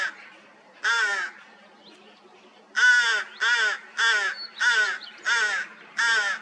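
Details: Rooks with newly hatched chicks in the nest, 16 May 2023, after a cold spring: one harsh caw, a pause, then six grating raspy caws in quick succession, each about half a second, loud and near.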